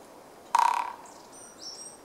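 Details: A Japanese pygmy woodpecker, recorded 8 March 2014, drums one quick half-second roll of about a dozen fading taps, possibly slower than usual, followed by faint high thin notes from another bird.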